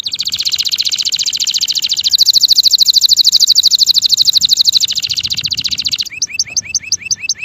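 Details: Singing male canary delivers a long, intense, buzzy roll lasting about six seconds, then switches to quick repeated two-part chirps, over faint background noise.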